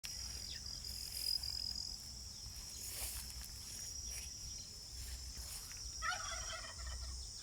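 A turkey gives a short, rapid, rattling gobble near the end, over a steady high insect-like hiss and faint background rumble.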